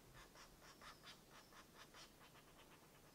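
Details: At a nest site in a Dorset wood, a European green woodpecker gives a run of short, raspy, evenly spaced pulses that grow quicker and softer toward the end, over faint woodland background.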